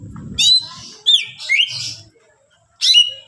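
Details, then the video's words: Greater green leafbird in full, varied song used to provoke other leafbirds into singing: loud whistled notes, sliding and looping phrases, with brief pauses between bursts and some low rumbling in the background. "cucak ijo gacor full isian mewah rayu c ijo lain bunyi"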